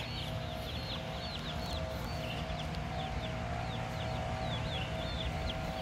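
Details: Baby chickens two weeks old, kept in the USA, give scattered high, short peeping notes from several chicks, partly masked by loud steady low hum.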